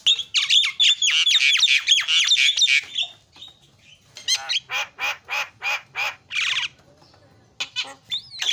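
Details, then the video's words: Javan myna song built from isian fill-in sounds, used to train other mynas: a long rapid chatter of harsh buzzy squawks, then a row of evenly spaced rasping notes and a final rising whistle. "KICAUAN JALAK SUPER MANTAP"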